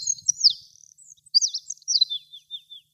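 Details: Olive-backed pipit in song atop a flowering tree, wild: high, thin, rapidly varied twittering with slurred swoops and trills, the phrase tapering into a few softer descending notes at the end.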